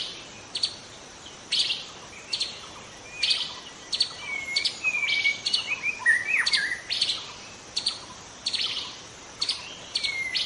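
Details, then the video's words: Forest white-rumped shama, wild bird, singing. Sharp high chip-like notes repeat roughly every second, interwoven with liquid slurred whistles and short warbled phrases. "suara asli murai batu hutan"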